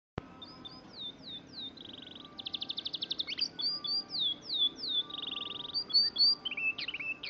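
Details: Young Oriental magpie-robin (kacer), just past juvenile plumage, mimicking canary rolling song: clear downslurred whistles, a buzzy held note, a fast even series of pulsed notes, then more whistles and quick twisting phrases; faint background hum.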